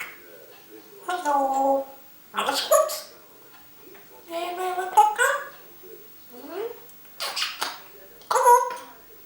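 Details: Pet African grey parrot, kept indoors and out of its cage much of the day, filmed by a hidden camera while chatting; harmonic speech-like phrases and whimpering, dog-like sounds come in bursts every one to two seconds.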